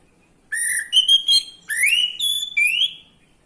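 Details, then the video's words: Orange-headed thrush song to encourage males to sing: a series of whistled notes, several rising slurs with quick chattering notes between, clean and loud against a quiet background. "Gunakan video ini untuk memancing birahi AM jantan, AM macet/malas bunyi langsung gacor"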